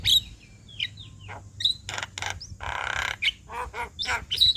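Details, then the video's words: Javan myna song kept as a master recording for training birds: sharp whistles and descending slurs alternate with harsh rasping bursts and a long grating squawk, notes spaced unevenly with short silences. "Burung Jalak Kebo Gacor Ngoceh Bikin Ribut Semua Burung- Masteran Burung jalak"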